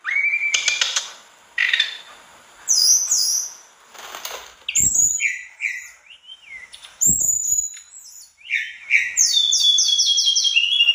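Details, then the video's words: Energetic mangrove blue flycatcher song full of fill-in phrases: whistled notes, a string of quick descending high chirps near the end, and brief warbles, broken by loud fluttering and rustling sounds. "Tledekan bakau gacor dor isian"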